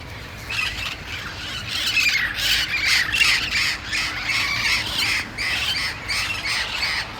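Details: A flock of hundreds, perhaps a thousand, feral Red-crowned Parrots in a Pasadena, California shopping-centre parking lot just after sundown gives harsh, raucous squawks that overlap constantly, several each second, loud and grating over a low background hum.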